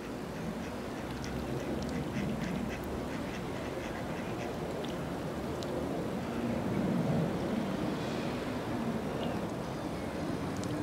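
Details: Mallards on a pond give a run of rough, nasal quacks in quick succession, growing louder midway through, over a steady low rumble of background noise.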